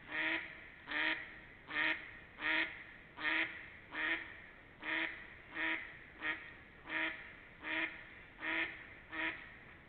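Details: Ducks recorded between 28 March and 3 April 2021, giving a steady series of about thirteen nasal quacks in ten seconds, each a short harsh burst evenly spaced against quiet background.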